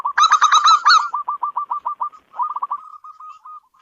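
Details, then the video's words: Local zebra dove in a house, starting with loud rich rolling coos, then a fading series of quick staccato notes, a short break, and a softer trailing trill. "Suara burung perkutut lokal pembawa rezeki dalam rumah"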